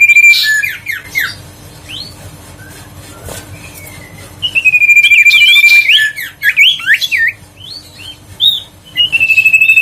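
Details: Huyt co bird lure song for making lazy birds sing again: after a quiet start, a steady whistle breaks into quick looping chirps, then scattered rising notes and a closing held whistle.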